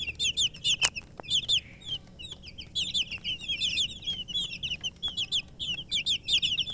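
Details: Chicken chicks (murgi) making shrill, bright peeps in overlapping bursts, rapid falling notes from several birds, with a loud click near the start and soft background noise.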